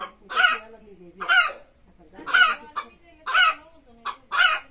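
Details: Hen's pre-laying call: harsh, loud squawks about once a second, some with a short lead-in note, low throaty clucks filling the gaps between them.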